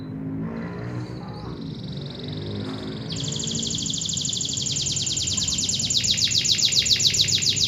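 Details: Local canary singing a long, fast trill that jumps to a higher pitch partway through and keeps rattling steadily to the end, growing louder, with a low hum underneath.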